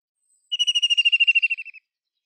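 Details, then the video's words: White-throated kingfisher producing a single descending rattle of rapid, high, even pulses lasting a little over a second, with quiet surroundings. "White-throated kingfisher Call Song"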